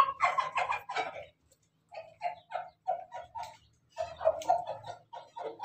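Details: Pelung rooster recorded 17 May 2024 in laughing-style crowing: a run of short, clucking, chuckle-like bursts, five or six per second at the start, then spaced notes, then another rapid group.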